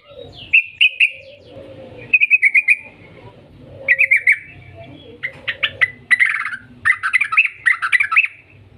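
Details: Yellow-vented bulbul in vigorous long trilling song, used as a lure to get other bulbuls singing: bursts of rapid bubbly chattering notes alternate with lower soft warbles, growing denser and more continuous toward the end.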